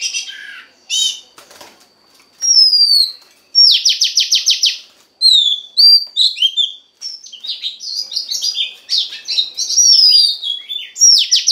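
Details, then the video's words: Oriental magpie-robin female's voice, used to excite a male: bright fluting phrases broken by rapid buzzy trills of repeated notes, falling whistles and a dense chattering run of mixed notes near the end. "Choè than mái kích trống hay nhất"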